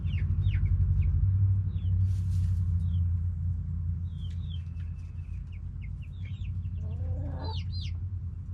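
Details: Backyard chickens, hens and roosters, noisy in a yard. Scattered thin downward-sweeping peeps come roughly four a second, with a lower throaty call near the end and a heavy low rumble throughout.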